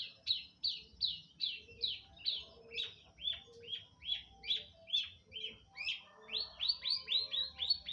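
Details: Long-tailed shrike singing energetically, with rapid high chirping notes that slur downward, repeated two to three times a second and speeding up near the end, over quiet background sounds.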